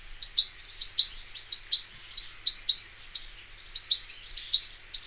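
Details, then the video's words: European goldfinch in the wild, a bird become scarce through overhunting: crisp high double chirps and twitters repeated at an uneven, lively pace over a quiet background. "صوت الحسون حسون ذهبي عروس التركمان طقطق شوك الحسون صافي من الطبيعة European goldfinch sound"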